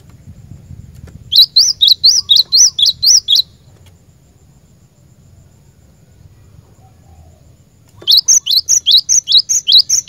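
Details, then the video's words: Cinereous tit, the glatik batu lure bird, delivers a ringing series of sharp repeated two-note phrases, falls silent for several seconds, then resumes with another energetic run of high notes. "Burung Glatik Batu Pikat Gacor"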